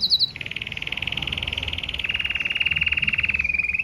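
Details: Red Mosaic Agate canary in powerful song: a few quick high notes, then a long, fast, even rolling trill that steps up in pitch at two seconds and eases slightly lower near the end.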